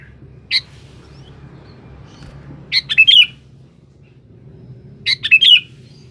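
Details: Sooty-headed bulbul in full song calling a rival, used as a lure: a lone note, then two bubbly, chattering phrases about two and a half seconds apart, over steady low background hum.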